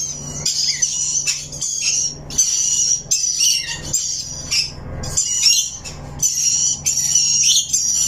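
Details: High, grating screeches and chirps from a rainbow lorikeet parrot, repeated in bursts about every second, over a constant low hum.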